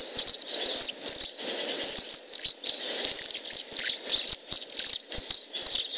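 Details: A hummingbird sings at 10 kHz and above: very high, thin, scratchy bursts of squeaks and buzzes in quick, uneven phrases, almost insect-like, with short gaps between them.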